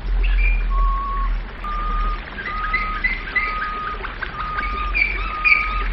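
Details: Domestic canary in flute-style song, holding long pure whistled notes at an even pitch, separated by brief pauses, with faint higher chirps and a low rumbling background.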